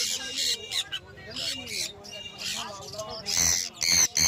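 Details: Pet sun conure parrot giving loud, harsh, broadband squawks in irregular bursts, the strongest clustered near the end, with quiet indoor murmur beneath.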